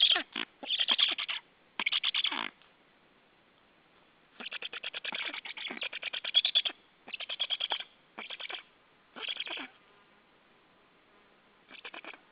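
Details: At a white stork nest watched by a live camera on 28 July 2013, grating pulse trains come in separate bursts of half a second to two seconds, with quiet gaps between and a faint final burst.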